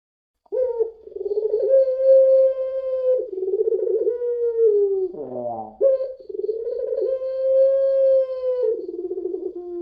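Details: Spotted dove of the puter pelung style, used as a lure recording, giving long drawn-out steady cooing notes with rich harmonics, broken midway by a short rough coughing burst, then another long sustained coo.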